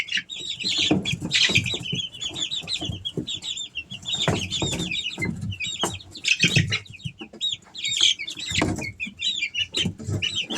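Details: Three-week-old Easter Egger chicks, several together, peeping constantly in short high arched and wavering notes that overlap in busy chatter, mixed with frequent dull knocks and scratching thuds.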